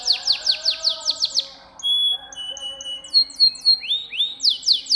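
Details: Canary singing a lively 'gacor' song, used as masteran training material for pet canaries: rapid series of high downward-sweeping notes, then clear sustained whistles and rising slurred phrases, returning to fast repeated sweeps.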